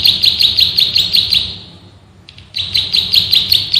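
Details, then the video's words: Male bar-winged prinia, a rice-field prinia, singing a fast rattling master-recording song for training birds: sharp high chirps repeated about three per second, a pause, then the rapid series resumes. "MASTERAN BURUNG PRENJAK SAWAH GACOR, NGEBREN TEMBAKAN RAPAT SUPER ISTIMEWAH"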